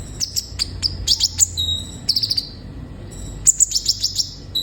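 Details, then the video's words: High-pitched sunbird (kolibri ninja) song, meant to spur young caged birds into singing: scattered sharp tsit notes, clusters of rapid chirps and short thin whistles, steady and bright throughout. "Terapi suara burung kolibri ninja gacor"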